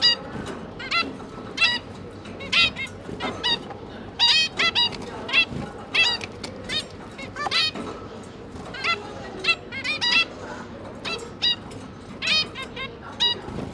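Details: Zebra finch family of two adults and three young juveniles while the parents feed the babies: dense series of brief, nasal, stacked-harmonic call notes, irregularly spaced and sometimes doubled, continuing throughout over a steady low hum.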